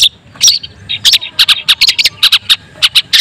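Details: Long-tailed shrike with a white breast, singing to provoke other shrikes: separate sharp, squeaky chips and short harsh notes given in quick pairs, about four to six per second.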